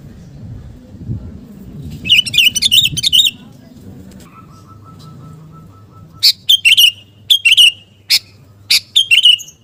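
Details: Sooty-headed bulbul song of the garuda type, played to build fighting spirit in kept birds: bursts of rapid, chattering high phrases, a steady mid-pitched tonal line between them, then repeated short sharp phrases, over low background rumble.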